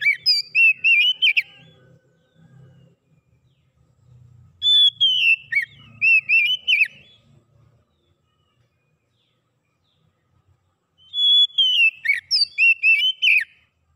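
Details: Oriental magpie-robin song, played to stimulate a silent bird to sing: three bursts of clear, high whistled notes mixed with rapid twittering slurs, each burst lasting about two seconds, separated by pauses with faint low rumble.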